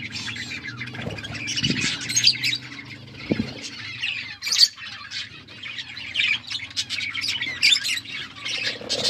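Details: Budgerigars chirping while eating seeds: a dense, continuous chatter of high squeaky chirps and warbles from several birds, with occasional low knocks and rustles.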